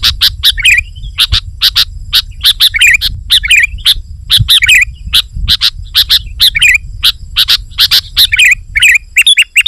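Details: Sooty-headed bulbul delivering continuous chattering song meant to challenge rivals and lure wild birds: rapid sharp chips mixed with frequent slurred twittering phrases, over a constant low rumble.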